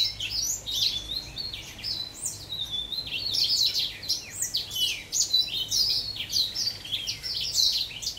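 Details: A young orange house finch sings a long, rambling warble of quick, high, twittering notes and slurred phrases that run on without pause, ending in burry trills; recorded 2022.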